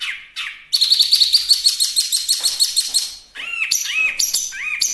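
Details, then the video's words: Chinese hwamei song, natural recording suited as a master tutor for training and luring birds: a rapid run of high repeated chirps, then arched whistled and slurred phrases, loud and varied, with no other sounds present. "Suara Asli Wambi Mini/Hwamei Gacor"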